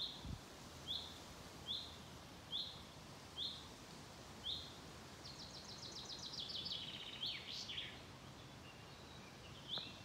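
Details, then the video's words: Common chaffinch in Mingen, Njurunda, 12 June 2023, giving short high upslurred contact calls about once a second, then finishing with a quick descending song phrase ending in a flourish, over a low steady rumble. "Bofink locklätet"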